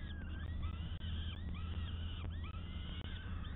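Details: Peregrine falcon on a live nest camera, 12 May 2022: a series of arched, wailing calls with strong overtones, each rising then falling, repeated several times a second over a heavy low rumble of wind or hum.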